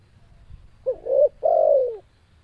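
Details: Spotted dove (tekukur) giving one coo phrase after a short pause: a soft short note, a swelling coo and a long smooth falling coo, with a small click before it.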